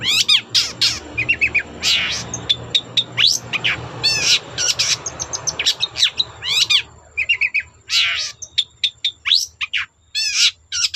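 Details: Long-tailed shrike singing to provoke other shrikes, a busy mix of harsh rasps, rising whistled slurs and chattering notes over a steady background hum.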